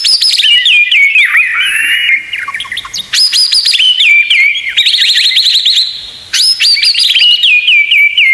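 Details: White-rumped shama singing a tutor recording: dense, varied whistles with rapid rising and falling slurs, sharp high sweeps, stuttering repeated notes and held flat tones, delivered in loud overlapping bursts.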